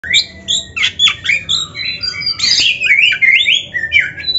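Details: Oriental magpie-robin (kacer) singing a full, varied training song, rapid whistled phrases, rising and falling slurs and harsh squeaky notes packed together with almost no pauses.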